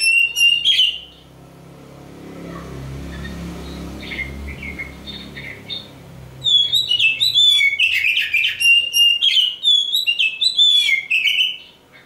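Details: Kacer Hitam, the black oriental magpie-robin, groomed as a future champion: a short whistled phrase, several seconds of low background hum, then a loud rapid torrent of varied whistles and chattering notes.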